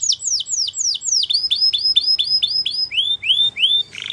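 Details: Spanish Timbrado canary in song, delivering a series of repeated downward-curving slurred notes, later a run of rising swept notes, ending in a short buzzy rattle.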